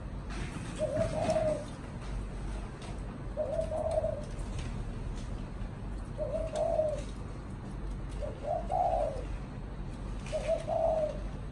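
A spotted dove gives soft, low, hollow coos, five short phrases spaced about two to three seconds apart, over a steady low background hum.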